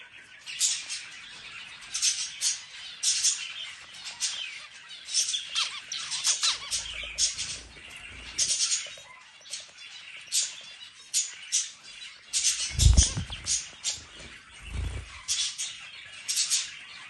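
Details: Singing zebra finch at its food: repeated short bursts of bright, buzzy chirps and squeaky notes roughly every second, mixed with low thuds and clatter from eating.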